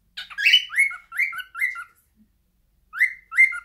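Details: Singing pet cockatiel: a rough chirp, three upslurred whistles with lower tails, a short silence, then two more matching whistles.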